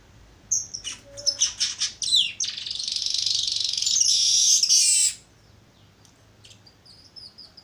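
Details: ['Young Baya weaver learning its song: a run of sharp high chirps, then a long dense buzzy wheezing trill lasting about two seconds, followed by a few thin high notes.']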